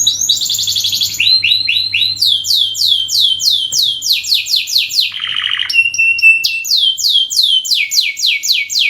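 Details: Singing canary giving a long lure song: runs of quick downward-sweeping whistles, several per second, switching between phrases, with a brief lower rattling trill and steady high tones mid-song.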